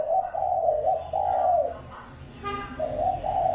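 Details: Lure spotted dove giving drawn-out mellow coos in two bursts, separated by a quieter gap with a brief rustling sound and low background hum.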